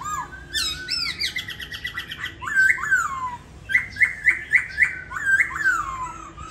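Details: Caged laughingthrush in Hanoi, Vietnam, kept as a songbird: loud, clear whistled notes, several rising then falling, followed by a run of quick repeated slurred phrases with rich overtones. Faint background hum.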